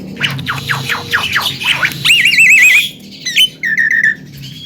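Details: Javan myna chattering song used as a lure to set a silent myna singing: rapid falling whistled strokes, then a wavering warbled whistle, harsh squawks and a short buzzy series, with music playing underneath.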